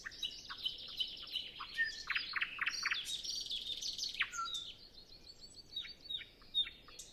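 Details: Nightingale in dense song before sunrise on a windless morning, other birds not yet singing: a busy, fast tangle of chirps, trills and harsh notes, easing into sparser high twitters. Taken with a Zoom F6 and Sennheiser MKH 8040.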